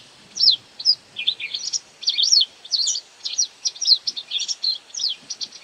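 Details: A white wagtail calls as it feeds on insects, producing a busy string of high, bright twittering chirps in quick bursts, some notes sweeping up and down, nearly continuous.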